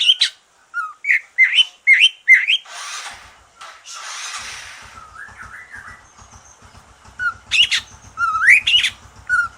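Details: Freshly moulted green leafbird singing to encourage other birds: quick upswept whistles open the song, broken by a stretch of hissing noise and low ticking, then a cascade of rising and falling slurred whistles.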